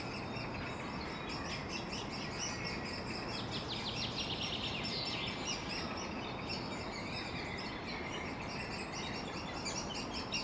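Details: Woodpecker chicks in Helsinki, constantly hungry, chirping while an adult feeds them: a dense run of rapid, high, rasping chirps swelling in the middle, over heavy steady city noise.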